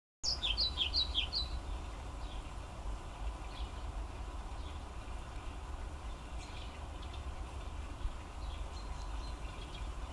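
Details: European pied flycatcher (Ficedula hypoleuca), song.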